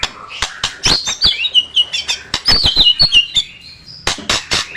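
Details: Competition-training song of a white-rumped shama: rapid high twittering whistles and short looping phrases, interrupted throughout by loud dry clicks.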